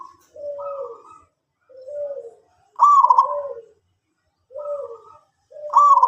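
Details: Zebra dove of a local strain in full song. Rhythmic cooing phrases alternate between a higher vibrating trill and a lower, gently falling coo, in groups about every one and a half seconds, with quiet gaps between.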